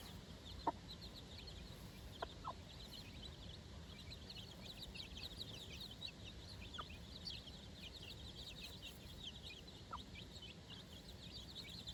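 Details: Four-day-old chickens out on fresh grass with their mother for the first time; a steady stream of short, high, downslurred peeps from several chicks, with a few sharp clicks and a low rumbling background.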